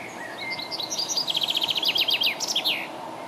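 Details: Common chaffinch song recorded on 27 June 2017: a short rising introductory note, then a fast descending series of about fifteen repeated chipping notes ending in a brief flourish, over faint steady background noise.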